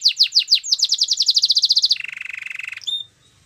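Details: Canary singing in a domestic setting: fast downward-swept notes repeated about four per second, then a quick trill, a lower buzzy rolling tour and a short high whistle at the end.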